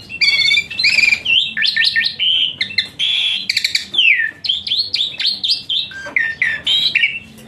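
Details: Asian pied starling in full song, played to train a lazy-singing starling: dense, nonstop medley of whistles, slurs, buzzy and harsh notes, changing pitch rapidly.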